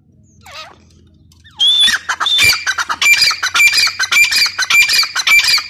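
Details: Calling female grey francolin, a low hum and a faint earlier note first, then loud, rasping, broadband squawks in a steady run, about two per second, each with a thin whistled streak, continuing to the end.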